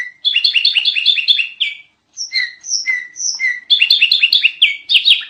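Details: Sooty-headed bulbul in a busy training-style song recording: rapid runs of bright, bubbly whistled notes, a short pause, then clear separate whistles and another fast chattering burst, with nothing else heard.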